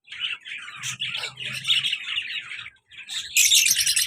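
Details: Lovebird pair, a colour male and a black-masked female, gives harsh buzzy chatter, a short gap, then a loud burst of fast shrill notes.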